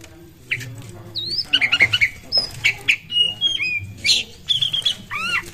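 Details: Oriental magpie-robin in full, persistent song, played as a lure to prompt other birds to sing; varied clear whistles, sliding notes and short chattering bursts in quick succession over a steady low hum.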